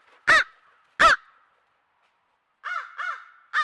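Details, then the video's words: Crows noisy at a watering hole by a country home, trail camera recording: two loud, abrupt caws a second apart, a pause, then three softer, hoarser caws and one final louder one. "Crows At Watering Hole Making Noise"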